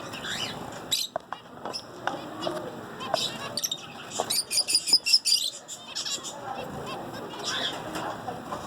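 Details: Several zebra finches singing: a rapid run of buzzy, stuttering notes building in the middle, with scattered clicks and chirps around it and faint background noise.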